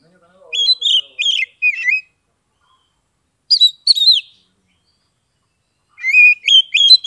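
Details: Oriental magpie-robin, caged, from Kebumen, Central Java, with song meant to get quiet birds singing; groups of loud whistled and slurred notes separated by silent gaps of one to two seconds.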